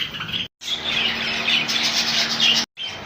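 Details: A colony of rainbow budgies chattering nonstop in shrill overlapping chirps and warbles, broken by two short silent cuts, over a faint steady low hum.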